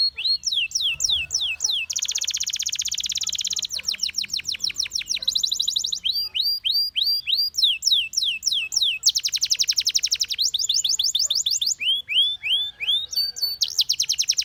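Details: Canary in full, continuous song: rapid rising whistled trills alternate with long dense buzzing rolls and quick repeated chirp series, sustained high and loud throughout.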